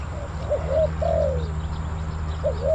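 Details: Spotted dove decoy at Bang Li, Thailand, calling wild birds: a soft note, a rising coo, then a long drawn coo sliding downward, followed by a rising coo pair, over a steady low hum.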